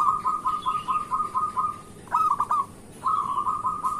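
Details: Local zebra dove in lively morning song, a lure for other zebra doves: a steady run of quick pulsed coos, a short louder burst, then another rolling string of notes.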